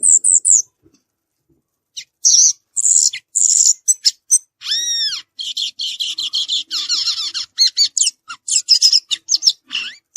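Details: Violaceous euphonia singing in nature: a long, varied, twittering medley of high chirps, buzzy trills and arching whistled notes, with rapid chattering runs throughout.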